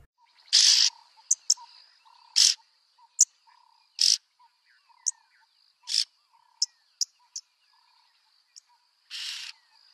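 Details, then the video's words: Yellow-billed oxpecker (Buphagus africanus) giving harsh, hissing rasps at uneven intervals, mixed with short sharp clicks, over a faint steady high insect whine. "Yellow-billed oxpecker sound"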